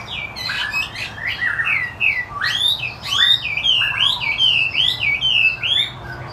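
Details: Energetic gacor singing from a wambi putih Chinese hwamei: bursts of loud, swooping whistles and quick upward flicks, grouped in rhythmic pulses that grow stronger midway, over a quiet low drone.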